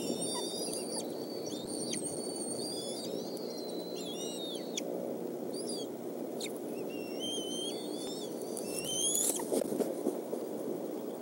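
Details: Wild bald eagle nestlings at the Decorah nest during the evening meal, 17 May 2014, as the adult male brings fish; thin high piping calls in rising and falling series, repeated rapidly over steady low rumbling background noise.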